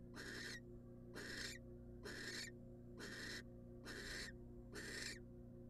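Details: Wild female barn owl at a monitored nest box, receiving a rat from the male: six harsh, breathy hisses, each about half a second, repeated roughly once a second over a steady low electrical hum.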